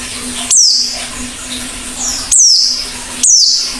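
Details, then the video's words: Oriental white-eye singing actively: three sharp high chirps, each a quick downward-sweeping note, spaced about a second or more apart, over a steady low hum. "Burung PLECI GACOR BUKA PARUH"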